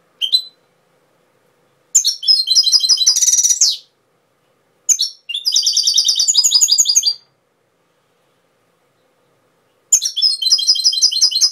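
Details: Singing goldfinch, song style labelled Cobia Málaga, Touilila: bursts of fast, bright twittering with a harsh buzzy trill, delivered in phrases of two to three seconds with longer silent gaps between them.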